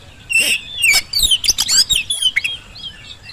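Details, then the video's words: Energetic Oriental magpie-robin song meant to prompt lazy birds to answer: bright whistles mixed with rapid harsh, buzzy notes in a dense, hurried sequence. "kacer gacor pancingan kacer malas bunyi saat di rumah maupun di lapangan jadi cepat nyaut"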